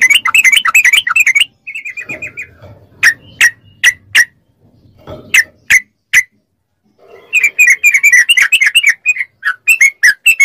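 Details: A yellow-vented bulbul delivers fast ropel song as training audio for captive bulbuls. Opening chatter, a short fluttering series, isolated sharp notes with faint low rumbling between them, then a renewed rapid chattering burst.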